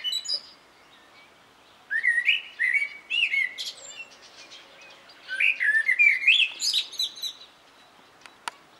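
A common blackbird sings two mellow, fluty warbled phrases a few seconds apart, each trailing into a thin, squeaky twitter; the background is otherwise quiet.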